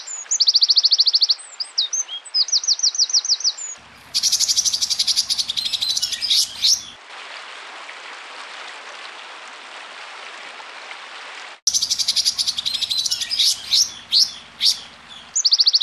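A small songbird gives rapid, high, harsh chattering phrases with buzzy trills, interrupted by a stretch of hiss and a low mechanical hum.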